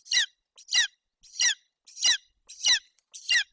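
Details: Hungry golden eagle nestling in Bucovina, Romania, June 2021, begging while its mother tears up a roe deer fawn: six loud, harsh, descending squeals, each preceded by a faint short note, evenly spaced.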